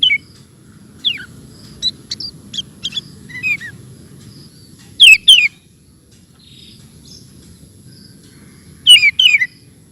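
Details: Energetic sooty-headed bulbul song in 'ropel' style: scattered descending whistled notes and chips, then two loud, sharp bursts of chirping about four seconds apart.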